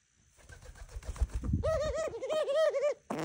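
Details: Pet dove indoors in the morning: low rustling and thumps first, then a clear run of rhythmic, wavering coos, followed by a person laughing.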